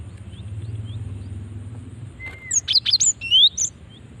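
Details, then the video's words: Female cinereous tit calling, used to lure other birds into responding: a quick cluster of sharp, high chirping notes and upslurred whistles after a low faint whistle, over quiet background hum. "Ampuh memancing bunyi gelatik batu betina ini"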